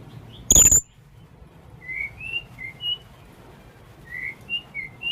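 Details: A young blue-crowned hanging parrot calls in a lure recording. One sharp, shrill, high-pitched note is followed by a series of soft, short, thin whistles in the background.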